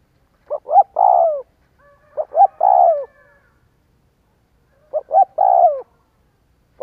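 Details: Lure recording of a spotted dove to make doves coo: three phrases separated by silent pauses, each two brief notes then a long descending coo, with a fourth beginning at the end. The background is quiet.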